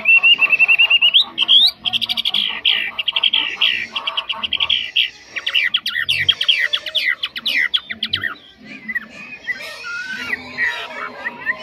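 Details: Caged Chinese hwamei, said to sing very well without flaws, starting with a steady whistled phrase, then rapid buzzy and rattling notes and fast chattering trills, ending in softer slurred whistles.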